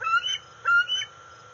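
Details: A 131-day-old juvenile female bald eagle begs for food near the NCTC nest on August 5, 2020, as her father arrives with a fish: two short, shrill, squealing notes over a faint background hum.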